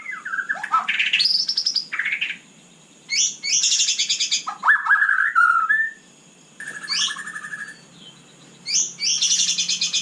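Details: Night song of a white-rumped shama, delivered as rich, very vocal bursts: clear whistles rising and falling, buzzy high rattling phrases and a sliding mid-pitched note, separated by short silences.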